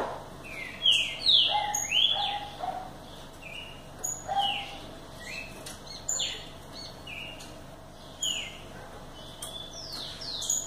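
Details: Green-winged saltator delivering repeated phrases of sharp, falling whistled notes about every two seconds, each burst loud and clear above a steady hiss of outdoor background noise.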